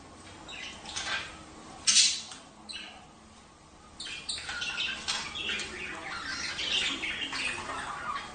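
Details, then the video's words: Budgerigar chatter aimed at encouraging breeding: soft high warbles with one sharp squawk early, a short quiet gap, then a steady low-level stream of twittering notes. "تحفيز البادجي على التزاوج"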